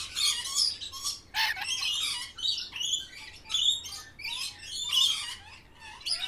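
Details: Green parrots feeding at lunch time make rapid chirps, tweets and scratchy squawks in busy, overlapping bursts. The calls run almost without pause, and a brief flutter of wings is heard.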